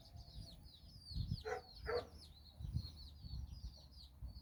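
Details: Mother hen with nine chicks exploring in Bizkaia, Basque Country. A pair of short, low clucks in the middle, surrounded by continuous high, falling chick cheeps and low rumbling noise.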